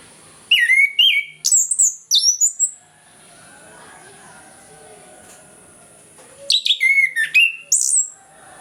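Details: Orange-headed thrush singing ngeplong in the morning to spur lazy birds: two bursts of loud, rapid whistled phrases with steep downward slurs and bright high notes, separated by about three seconds of quiet.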